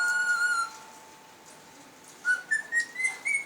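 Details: Pet cockatiels enjoying an electric fan give a long level whistled tone, a pause, then a run of short whistled notes stepping gradually higher in pitch.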